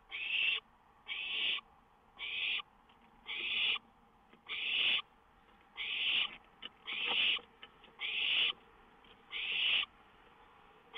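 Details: Owl perched on a lookout at 1:06 AM in May, later leaving when a songbird flew up; harsh, breathy hissing bursts, each about half a second long, repeated roughly once a second, around ten in all, with quiet gaps between.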